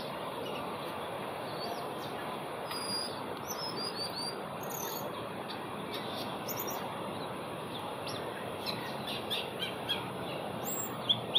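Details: Asian glossy starlings in Singapore on 4 September 2021 give sharp, high metallic whistles and short chirps, several birds calling over a steady roar of traffic or city noise.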